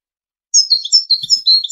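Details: Short burst of European goldfinch tutoring song for young birds and hybrids entering singing contests, rapid high chattering notes with a faint low thump.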